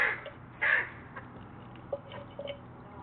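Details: A crow gives a harsh squawk rejecting another crow's "peace" gesture, then makes soft "peace" knocking and clicking notes spaced unevenly over a few seconds.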